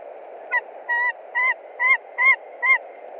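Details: White-tailed eagle at its Latvian nest, 20 March 2021, reacting to an intruding eagle on a nearby branch: six clear, ringing yelps spaced about half a second apart, each slightly bent in pitch, against a steady hiss.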